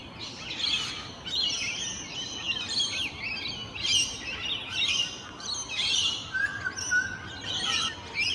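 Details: Rainbow Lorikeets socialising in their natural habitat on a morning: continuous high, harsh chattering and screechy squawks from several birds overlapping in dense bursts, with a faint lower whistled note near the end.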